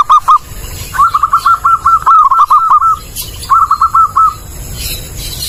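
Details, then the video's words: Zebra dove, singing clearly and loudly as a bird lure: a short opening burst of coos, a long rolling run of quick repeated notes, then a shorter phrase, ending in quiet hiss. "Suara Burung Perkutut jernih, jelas dan keras cocok buat pikat"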